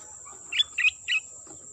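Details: Sooty-headed bulbul calling as a lure for attracting birds: three short, clear, slightly warbled notes in quick succession within about a second, above a constant thin high-pitched hum.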